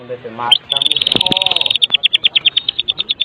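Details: White-rumped shama of the Medan type in kretekan style, used as a lure: a short rising note, then a dense buzzy rattle that breaks into evenly spaced sharp chips, roughly four per second.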